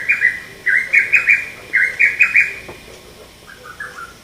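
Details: Close, loud sharp call of a male lesser cuckoo, recorded 30 May 2017: two fast phrases of five or six strong whistled notes, then a fainter, softer fragment of trailing notes.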